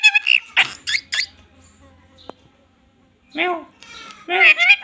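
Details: Parrot in Assam, India, with a voice like a small child's, talking and imitating a cat's mew: short nasal, harmonic syllables with bending pitch in two bursts separated by a quiet gap.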